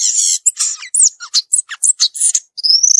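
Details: Free-living violaceous euphonia delivering a fast jumble of high buzzy notes, short downslurred chips and whistles, ending in a long, slightly rising whistled trill.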